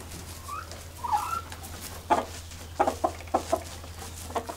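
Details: Chickens eating, pecking and moving about while clucking: a few soft rising murmurs, then a run of short clucks spaced about half a second apart, over a steady low hum.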